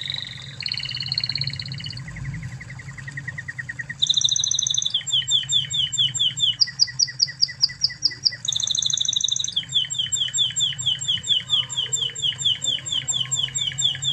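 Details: Extended master song of an original Spanish Timbrado canary for tutoring young canaries: varied rolling trills alternating high and mid pitch, bursts of rapid metallic pulses and long sustained rattles across fourteen seconds.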